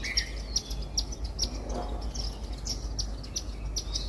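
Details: Indian silverbills eating grains from a feeder in a house garden give scattered thin, high tweets, faster in places, with a persistent low background hum.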